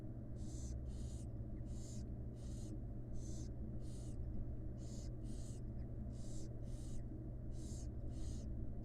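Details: Wild barn owl chicks begging while their mother feeds them in a nest box: rapid series of loud rasping hisses, roughly two per second, fairly regular, with constant low electrical hum beneath.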